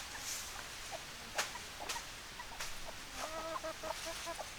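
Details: Chickens outdoors: after scattered taps and rustles, a quick series of nasal, buzzy clucks in the last second and a half, close together and uneven in rhythm.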